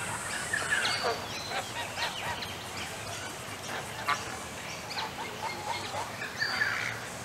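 Cape Barren geese give harsh, hoarse honks and grunts in short, uneven bursts over several seconds, against a steady high-pitched hiss.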